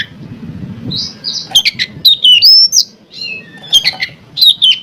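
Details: Oriental magpie-robin singing as a provoking lure: soft warbled whistles open, then loud clicking bursts and a clear wavering whistle, followed by more sharp chattering notes.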